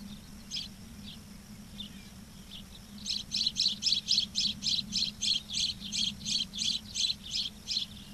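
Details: Ospreys on a nest-cam nest at Charlo, Montana, dated 06/07/2023, 11:36; a few scattered high sharp chirps, then a steady run of piercing whistled chirps, about three to four per second, over a constant low hum.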